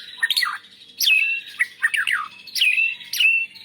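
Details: White-rumped shama, a national champion, sings a training song stuffed with imitated cilalilin, canary and lovebird phrases. Sharp downward-sliding whistles alternate with short chattery bursts, each phrase about half a second long, clear and loud.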